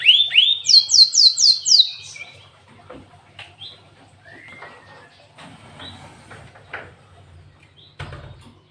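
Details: Canary-style song from a cinereous tit, locally glatik watu: a loud opening of upslurred whistles and a fast trill of about six descending high notes, fading into sparse soft chips and a low background rumble.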